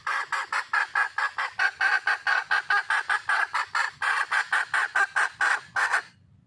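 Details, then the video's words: A wild junglefowl hen calls for a mate with a long, unbroken series of fast, loud clucks, around two or three per second, stopping abruptly near six seconds. "le bruit d'une poule sauvage,เสียงไก่ป่าร้องหาถู่หาตัวผู้,ສຽງໄກ່ປ່າຮ້ອງຫາຄູ່ຮັກ, poj qaib qus see"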